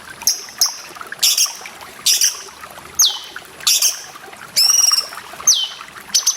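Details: Grey-cheeked bulbul training recording with water sounds: high piercing whistles and steeply falling sweeps about every second, one harsh layered call, interleaved with bursts of splashing water.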